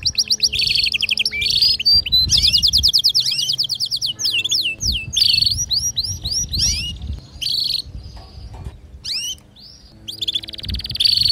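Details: Canary, presented as a female's mating call with a male's song, gives a bright, high, fast song of rapid trills, rattles and sweeping whistled notes, with phrases broken by brief pauses over a faint low hum.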